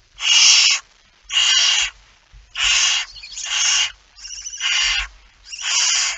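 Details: Barn owl with a mouse, recorded in September 2019 in Friesland, Netherlands: a steady series of rasping, breathy hisses, each about half a second long, coming in quick succession with some buzzy overlapping notes.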